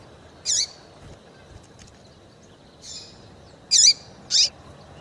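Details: Female Double-collared seedeater giving calls that excite males: a lone high chirp, a soft pause, then a quick pair of sharp, downward-sweeping notes.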